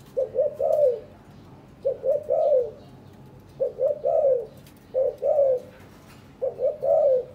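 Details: Courting captive spotted dove, one of a breeding pair gathering nest material; five steady three-part coo phrases, short-short-long with the last note sliding down, repeated roughly every one and a half seconds.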